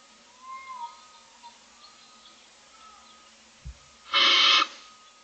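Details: Morning in a barn owl nest box on camera, with six owlets looking for food. After faint tones and a soft thud, one loud, raspy, hissing begging screech bursts out for about half a second.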